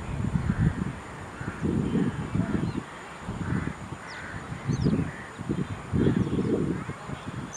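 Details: A group of house crows mobbing a perched black-winged kite in Pallikaranai Marshland, Chennai, India; repeated rasping caws in bursts about every second, several birds overlapping, with strong wind buffeting throughout.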